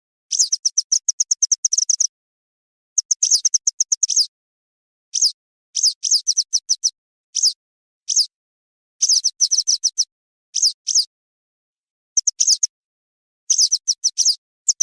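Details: Western yellow wagtail call, offered as the top lure sound for hunting. Long rapid runs of sharp, high, identical chips alternate with clusters of slurred, descending squeaky notes. Bursts are separated by short pauses. No other sounds.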